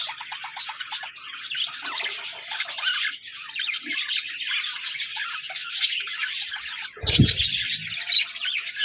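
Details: Steady chirping of budgerigars, a rapid, scratchy, high twittering that keeps going throughout, broken near the end by a short low thud.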